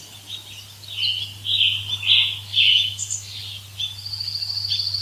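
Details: Woodland birds singing: a series of short bright chirped phrases about every half second, then a thin high buzzy trill toward the end, over a faint low hum.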